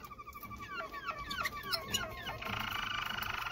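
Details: A Malinois Waterslager canary sings a string of quick, downward-slurred whistles, then breaks into a fast, even rolling trill. Light background hiss throughout.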